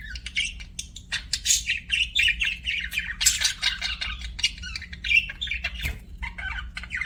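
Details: Budgerigars in an aviary giving fast, scratchy chirps and chattering warbles in a dense, continuous stream with brief squawks, over a faint low hum.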